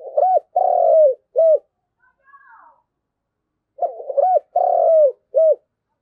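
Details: Spotted dove decoy calling its flock with two soft, low cooing phrases, each ending in a long purring coo and a clipped last note. A faint higher call is heard in the gap between them.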